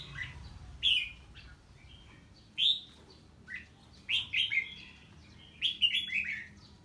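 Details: Red-whiskered bulbul reacting to a strange bird with song: clear whistled notes in short bursts, each dropping in pitch, coming in irregular spaced groups over a quiet background.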